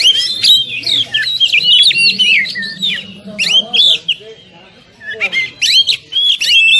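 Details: Kacer, the Oriental magpie-robin, in a 'tembakan rapat' training song for caged birds: a dense torrent of loud, varied whistles and twisting slurred notes, a brief lull, then the rapid-fire phrases resume.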